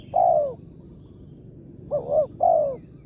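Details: Spotted dove in the wild, a morning decoy-trapping target known for a big 'tarik akar' voice. A long falling coo, a pause, then a double-note phrase ending in another drawn-out descending coo.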